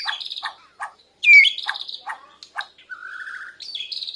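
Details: Borneo white-rumped shama in song practice, kept bird answering a lure recording, breast puffed: loud clicking ticks, a bright descending whistle, held high notes and a short buzzy trill.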